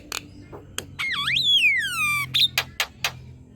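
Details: Javan myna song, used to tutor other birds and coax them into singing. A sharp click opens, then a long whistle swoops down, rises and slides slowly downward, followed by a short burst of snapping notes.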